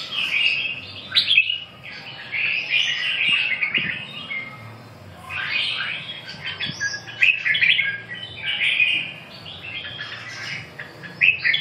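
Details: Red-whiskered bulbul singing continuous fluty, bubbling phrases. The phrases come in clusters a second or two apart, some notes sliding upward, over a soft low rumble.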